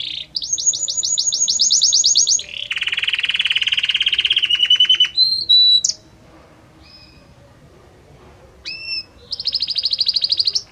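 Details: Belgian canary song with many different notes flowing gradually from one to the next: a high rapid trill, a lower buzzy rattle, short clear whistles, a pause of near silence, then another high trilled phrase.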